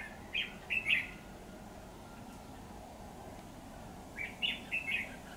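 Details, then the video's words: Red-whiskered bulbul used as a decoy bird for trapping, recorded 28/9/2019: two short bursts of bright warbled phrases, one near the start and another about four seconds later, over a steady low background hum. "Bẫy chào mào Mào đinh lân hầu bò ngày 28/9/2019"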